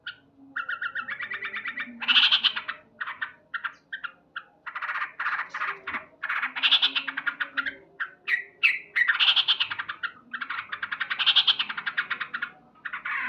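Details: Sooty-headed bulbul, male, singing loudly at morning: continuous busy chattering phrases of rapid chirps, some fast trilled stretches and fuller bursts, with hardly any pause over the whole stretch.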